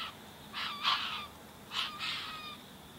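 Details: Tawny frogmouth chick in a Greensborough, Melbourne back yard, fed by one parent in January 2017, gives two hoarse, rasping bursts, each roughly half a second long with a brief break inside, about a second apart.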